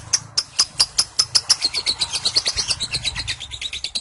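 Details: Lovebird ngekek, a marathon call of roughly 30 seconds delivered with the head pointed upward: crisp high chips, starting slightly spaced and quickening to a dense rapid series near the end.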